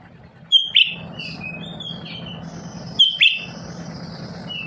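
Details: Lesser green leafbird kept at home, a bird that sings constantly to prompt other birds to respond. It gives two phrases about 2.5 seconds apart, each a sharp high whistle and then a buzzy downslurred note with thin trailing whistles, over a steady low hum.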